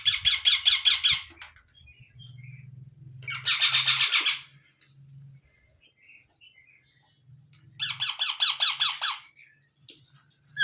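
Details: Baby parrot repeating bursts of fast, grating, harsh squawks, three bursts each about a second long with a few seconds of gap, faint low hum and soft chirps between them.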